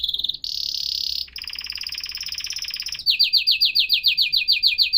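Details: Canary delivering a short high trill, a steady buzzy roll, then a rhythmic run of sweeping whistled notes about four per second.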